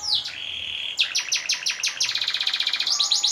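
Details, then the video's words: Domestic canary song used as a training and contest model, with long rolling trills: a sustained whistled note, then rapid repeated buzzy syllables about six per second, and a final sharp, fast-repeated high chip series. "Suara Burung Kenari - Cocok untuk Pancingan dan Lomba!"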